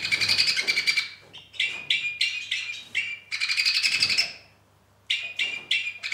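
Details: Two-barred crossbills singing in poor weather: dry, buzzy trill bursts, each under a second, with longer rattling phrases in between and short pauses separating them.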